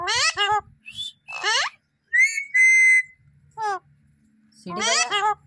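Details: A pet Alexandrine parakeet, also called raw or pahadi parrot, mimics human speech ("mitthu") in shrill, nasal, word-like bursts, with a clear steady whistle in the middle and more chattering phrases at the end.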